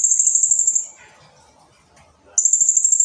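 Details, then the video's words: Blue-crowned hanging parrot song, a long, dense, very high shrill trill of rapid buzzy pulses, breaking off after almost a second, a quiet gap with faint low background noise, then the trill starting again. "BURUNG SERINDIT GACOR SUARA ASLI TEMBAKAN PANJANG DAN RAPAT"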